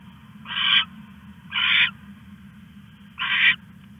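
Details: Owl stashing a rat at 1:41 AM, August 21, 2015: three loud, harsh, breathy screeches, each about a third of a second, separated by irregular pauses, over a faint continuous hum.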